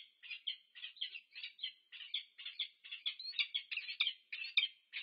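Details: Peregrine falcon pair at a nest in UC Berkeley, USA, 2 November 2022, meeting each other: a steady stream of grating, scratchy call notes, roughly three or four per second, over five seconds in a quiet background.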